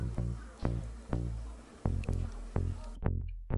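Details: Plucked bass-heavy guitar notes repeat about twice a second before the music cuts away, and no animal voice is heard.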